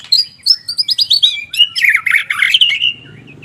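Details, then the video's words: Singing white-rumped shama, a fast run of bright descending whistled notes followed by a dense twittering trill that slides downward and fades into a soft high whistle. "kumpulan kicau MURAI BATU gacor"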